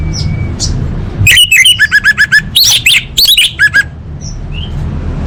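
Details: Orange-headed thrush song for training competition birds: after a faint whistle, a loud series of rapid clipped notes and repeated sharp chirps in quick succession, then soft isolated whistles.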